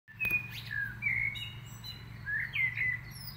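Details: Birdsong in the UMCS Botanical Garden in Lublin: clear whistled notes, some flat and some sliding down, in short phrases over a steady low hum.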